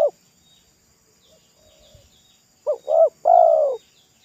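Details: Wild spotted dove singing at a roadside, its loud, thick voice likened to the pesom style; after a quiet stretch with faint background noises comes one phrase: two short rounded coos followed by a long, level, mellow coo.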